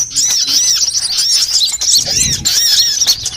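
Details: Sunbirds, all kinds, in a lure recording for bird trapping: shrill, fast chittering with high arched squeaks, nearly unbroken for the whole stretch.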